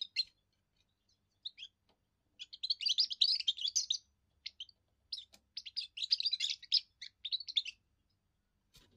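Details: Young European goldfinch delivering its first song, declaring territory and attracting females: a few lone chirps, then two long runs of rapid, jangling twitter separated by a short pause.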